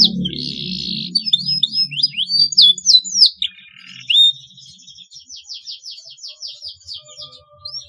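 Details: Canary song for teaching young birds: buzzy notes and a varied string of swept chirps, a brief steady tone, then a softer fast trill fading out, with faint low background noise.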